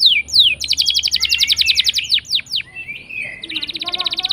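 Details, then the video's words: Singing canary used as a lure for canaries that stay silent. Falling whistles lead into a long, even, rapid trill, then sharp sweeps and a buzzy rattling phrase. "Pancingan Kenari Gacor Ngeroll panjang!! Buat Kenari Macet Bunyi pun Langsung Respon"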